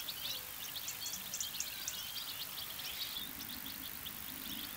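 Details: An autumn/winter flock of European goldfinches at Rainham Marshes, South Essex, in a tree after a jogger flushed them, sings a busy chorus of bright tinkling twitters and liquid chirps, many birds overlapping, over a low hum of distant traffic.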